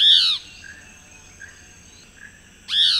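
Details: Chestnut-backed antbird in Costa Rica giving two loud, harsh, downslurred notes about two and a half seconds apart, with faint, soft whistles from farther off in between.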